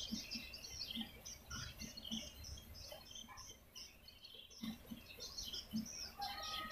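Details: Swiftlet luring calls: bursts of high, sharp chirping twitters, with a short quieter gap midway, backed by scattered low knocking clicks.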